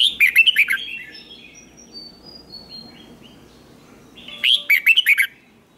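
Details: Red-whiskered bulbul in competitive training song with a twisting voice. A burst of rapid warbled fluty notes, a quiet gap with faint thin whistles, then another similar burst.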